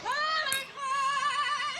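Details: A nine-year-old parrot at a UK zoo sings a mimicked Beyoncé melody in two sustained, wavering phrases with strong vibrato, its voice remarkably like a human singer's.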